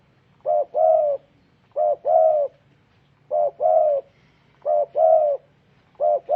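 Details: Spotted dove, called Burung Tekukur, giving low mellow cooing calls in paired notes, a short coo then a longer rolling coo, repeated about every 1.3 seconds over a faint low hum.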